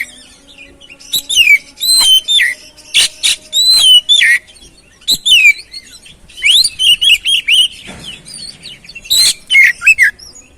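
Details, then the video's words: Oriental magpie-robin, known locally as kacer, singing to encourage another bird to sing: loud downslurred whistles and quick chirps in clustered phrases, with a short pause near the middle. "Pancingan Burung Kacer"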